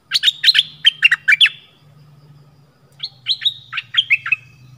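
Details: Red-whiskered bulbul of the southern dok taeng type, a decoy recording played to draw wild birds in: two bursts of quick, sharp chirping notes, each a run of about six clipped, bright notes with a short quiet gap between, with a faint low hum underneath.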